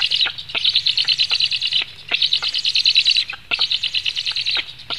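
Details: Black storks in Latvia at feeding time, 17 July 2015 at 16:57: loud, high, rapidly pulsed calls in bursts of about a second and a half, separated by short gaps, with sharp clicks scattered through.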